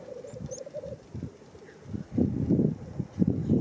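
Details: Black grouse displaying at the lek at World's End, Wales, April 2017: low, rolling, dove-like bubbling coos from several birds, louder in the second half, with a couple of brief high whistled notes at the start.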